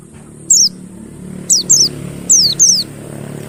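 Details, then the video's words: Mountain white-eye lure recording, meant to coax silent birds into singing: five very high, thin, sharply down-slurred whistled notes, a single one then two pairs, over a faint low hum. "PANCINGAN BURUNG PLECI MONTY BAHAN MACET BUNYI AGAR GACOR NGALAS BUKPAR"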